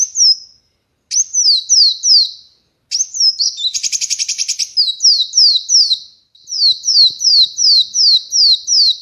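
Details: A kolibri wulung sunbird, free of its cage and held in the hand, delivers rhythmic chains of sharp descending whistles, interrupted by a fast buzzy rattle and brief pauses.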